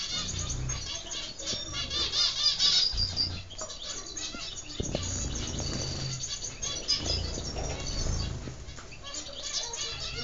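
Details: Zebra finches kept and bred in Constantine, Algeria, giving a busy chorus of short, high chirps and nasal tweets repeated rapidly and irregularly, several birds overlapping, with low rumbling background noise throughout.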